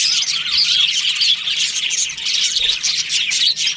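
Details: Breeding-season budgie colony, crowded chirping and squeaky warbles with a few sharp whistled notes standing out from the constant twitter.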